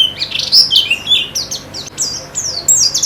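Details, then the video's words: White-eye singing in therapy audio intended to spur quick, lively song: thin, piercing downslurred whistles and chirps tumbling in rapid succession, some notes sliding steeply downward, continuous over a faint low background hum. "Terapi Pleci Cepat Ngalas dan Semakin Gacor"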